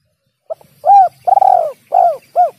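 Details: Spotted dove call recorded as a bird-catching lure: a quick short note, then a swelling coo, a long trembling rolled coo and two falling arched coos in one phrase.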